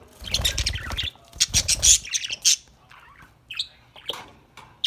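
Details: Budgerigars enjoying a corn treat, playing and singing, chatter in quick, scratchy bursts of high chirps and squawks, with a few separate clicks and whistles and some low thumping underneath.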